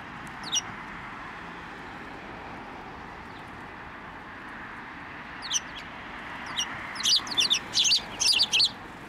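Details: Sparrows at a Tenmangu shrine, 15 November 2023, hopping onto a hand to take food. A few short high chirps early on, then a lively burst of quick, sharp chirps near the end over steady background hiss.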